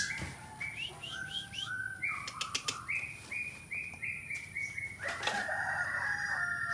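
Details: Captive white-rumped shama in bowing style, mimicking songs such as cililin, canary and fighting sparrow: a series of short, rising whistled notes repeated about three times per second, with sharp clicks and steady background noise.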